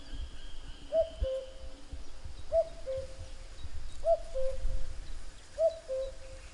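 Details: Repeated falling two-note call of a common cuckoo, cu-coo given four times at a steady pace of about one and a half seconds, with faint thin bird chirps and low background hum.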